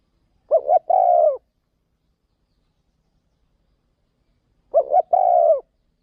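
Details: Caged decoy spotted dove calling on an outing to another province for luring wild doves; a pair of soft, low coo phrases roughly four seconds apart, each beginning with two short notes before a drawn-out coo, no other sounds.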